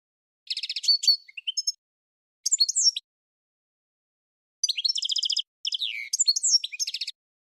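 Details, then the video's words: Goldfinch song in separate bursts: quick high twitters, a few sliding notes and buzzy rattles, each phrase lasting about half a second to a second, divided by clear silent gaps. "Goldfinch Singing - Amazing Singing"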